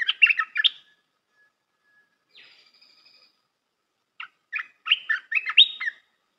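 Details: Song of a Red-whiskered bulbul meant for teaching young birds: quick warbling notes, a faint thin drawn-out whistle after a gap, then a renewed string of bright chirping, bubbling phrases.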